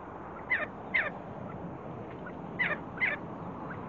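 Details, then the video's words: See-see partridge giving two pairs of short, sharp, slightly descending calls, each pair about half a second apart, over a steady low background hiss. "See See partridge sound"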